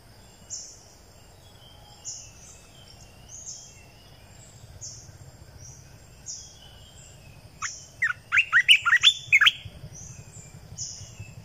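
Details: Red-eyed bulbul lure song recorded in 2020: a short, rapid bubbling phrase of about eight notes partway through, amid repeated soft high whistles from another bird and a low background hum.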